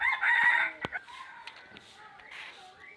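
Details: Red junglefowl crowing: a loud, harsh crow fills the opening moment and breaks off sharply. Clicks and sharp knocks follow, with faint chirps from small birds in the background.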